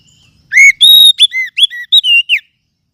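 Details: Kacer (Oriental magpie-robin) singing a short, bright phrase: a rising whistle, a long level note, then a quick run of clipped, slurred whistles that drop and rise again, ending in a falling slur. Background is silent.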